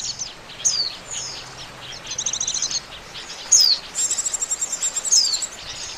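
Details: Oriental white-eye lure call for trapping, scattered high chirps and short descending whistles, then a fast run of evenly pulsed high trills.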